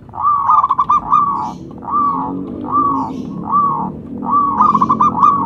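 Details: Local zebra dove used as a lure caller: short arched cooing phrases repeated about once a second, some broken into quick stuttering notes, over a low background hum.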